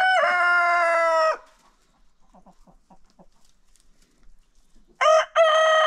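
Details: Roosters in an unofficial daily crowing contest after breakfast on a chicken farm: a loud, harmonic, drawn-out crow of about a second, then soft scattered clucks, then another crow begins near the end.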